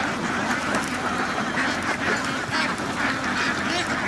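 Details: Many ducks on a duck farm, a dense, continuous chorus of overlapping harsh quacks with no pauses, some honk-like notes mixed in.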